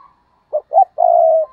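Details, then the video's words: Decoy spotted dove stuttering 'gù cà lăm' coo, meant to provoke wild doves: two short abrupt notes followed by one long, even, mellow coo, with a faint soft note before and after. "Gù Cà Lăm - Chim Cu Mồi Thúc Gù Kích Bổi Cực Nhạy"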